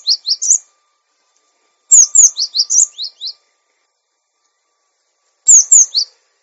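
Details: Caged-bird training master of a cinereous tit: repeated phrases of rapid, piercing high chirps, several descending notes strung together, separated by gaps of about one to two seconds, no other sounds.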